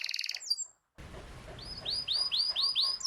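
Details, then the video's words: Canary song meant to stimulate a silent bird to sing: a brief rapid trill, a cut, then a series of rising whistled notes repeated about four times a second over faint background hiss. "Terapi Ampuh Burung Kenari Macet Dijamin Langsung Ikut Bunyi II Masteran Suara Burung Kenari Gacor"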